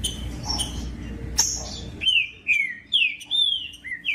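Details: Green-winged saltator song used to stimulate cold trinca-ferros to sing strongly. After a noisy start, clean loud whistled notes slide downward, about one every half second, in a ringing sequence.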